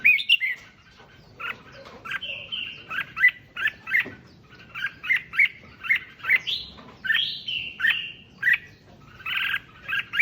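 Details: Red-whiskered bulbul song played to fire up other bulbuls: rapid repeated chirpy whistles and warbled notes, some in quick pairs, running almost continuously for ten seconds.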